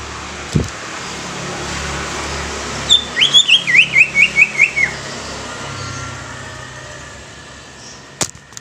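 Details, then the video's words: Greater green leafbird repeating a short sharp note about eight times at an even pace over two seconds, against a constant background hiss and a couple of clicks. "SUARA ASLI CUCAK IJO INI BIKIN CUCAK IJO BAKALAN CEPAT BUNYI"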